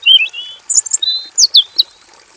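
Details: Robin singing in a simple aviary cage, a lively varied song: a clear high whistle, then quick sliding notes and a string of sharp downward-swept chirps, over a faint steady high whine.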